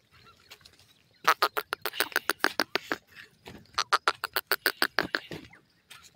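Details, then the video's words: Teetar (francolin) calls, from a recording naming Dakhni and Irani teetar: loud, harsh, clipped notes fired rapidly, about three per second, in two bursts separated by a brief pause. "Dakhni and Irani Teetar Calls"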